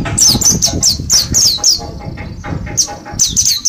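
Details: Mountain white-eye from Mount Slamet, kept with a group of birds and taken to the forest for ten days of training; rapid series of high, sharp, descending chirps over a low rustling, fluttering background.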